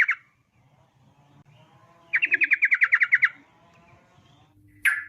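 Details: A Sooty-headed bulbul's rapid 'ropel' trill, used to lure bulbuls into song: a dozen quick chattering notes lasting about a second, set against a low background hum, with brief sharp calls at the start and end.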